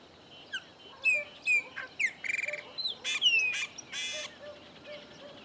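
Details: One of three chopi blackbirds visiting a farm in Bahia's Caatinga backcountry sings a varied phrase: sliding whistles, clicks, a buzzy rattle and harsh broadband notes in quick succession, with soft distant calls behind.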